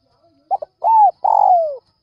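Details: Luring call of a Spotted dove early in the morning: two short notes, an arched coo, then a longer rough coo sliding down in pitch. No other sounds.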